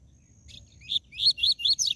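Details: A Rusty-collared seedeater sings the 'tui tui zel zel' song type: a few soft notes, then a quick run of bright, slurred, high whistles repeated about four times a second.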